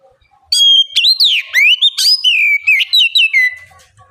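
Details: Loud oriental magpie-robin bait song used to coax young birds into singing and replying. After a quiet start comes a continuous run of rich, clear whistles: rising and falling slurs, some harsh, overtone-laden notes, and short repeated chirps that fade at the end.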